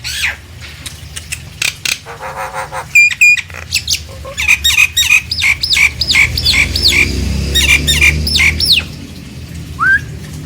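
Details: Nias hill myna song used as a lure to make silent mynas excited and start calling: loud, varied whistles, harsh squawks and rapid repeated hooked notes, about three per second at the peak, over faint background hum.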